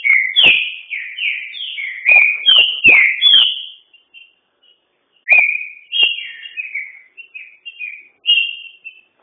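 A green-winged saltator sings two bouts of loud, rich whistled phrases, sliding and warbling in a high register, with a short pause between them and a few sharp clicks.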